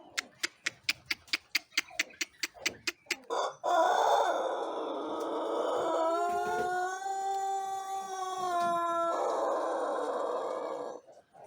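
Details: Young Pelung rooster, one month into learning to crow, recorded in the morning in Indonesia: a run of evenly spaced short clucks, then one long, drawn-out, steady crow held for about seven seconds before fading.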